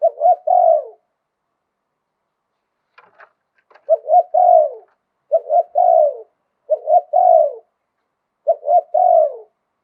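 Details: Zebra dove from Thailand singing in the Thai style called liw tan, praised for its wild-type voice: staccato cooing phrases of clipped notes that end in a longer falling coo, five phrases with a silent gap broken by faint clicks.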